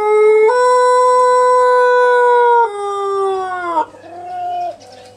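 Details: Long drawn-out crow of a Pelung chicken, a sustained steady tone held for several seconds, then stepping down and sliding lower before a shorter final note.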